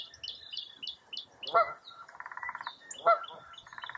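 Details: A foggy early April morning at Mirror Lake State Park in Baraboo, Wisconsin, with a chorus of wild birds: rapid high downslurred notes, two loud honks about one and a half seconds apart, and low buzzy pulsed trills between them.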